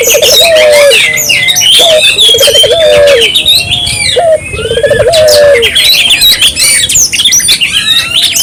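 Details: Barbary dove calling eagerly, to encourage local doves to call: low trilled coos in repeated phrases, nearly buried under a dense chorus of high chirps and twitters from other birds.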